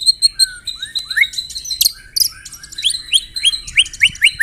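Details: White-rumped shama song with canary and cililin imitations, rapid high chirps, slurred rising whistles and a closing run of repeated upswept notes.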